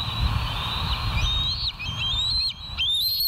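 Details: Bald eagles at the West End, filmed by a live nature cam on 1 September 2023 at 07:06 in the morning: high, thin whistled notes, some sliding sharply downward, over a steady low rumble of background noise.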